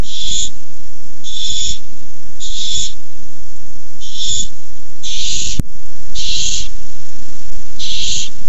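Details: Food fight between barn owls over a tiny mouse, recorded 6-4-15. Seven raspy hissed screeches come in uneven succession, one sharp click partway through, with a constant low background drone.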